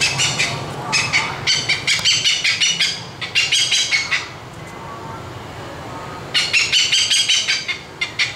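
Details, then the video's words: An Oriental pied hornbill at Hanoi Zoo, calling to its flock, gives harsh, cackling kek notes in fast rattling bursts, about three per second, over a low steady hum. "Cao cát bụng trắng Phần 1 - Gọi đàn"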